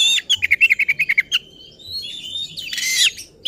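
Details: Agitated oriental magpie-robin singing to provoke rivals: a rapid string of around ten sharp repeated notes, a long thin sustained whistle, then a harsh, buzzy scratchy burst ending the phrase.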